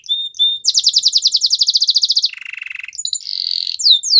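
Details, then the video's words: Canary song for training: a couple of clear whistles, then a fast pulsing trill, a lower buzzy roll, and a wavering mid-pitch warble ending in rising slurred notes. "Make your canary singing everyday"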